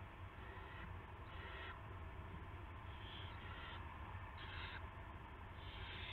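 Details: Predawn owl nest, March 9, 2016, a rat brought to the nest: several raspy, noisy bursts of varied length, some overlapping, above a continuous low rumble.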